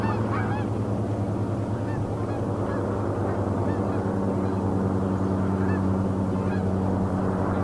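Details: Canada geese flying north across a marsh in Richmond, British Columbia, Canada, on August 6, 2018: scattered distant honks repeated irregularly, partly buried under a steady low rumble and broadband background noise.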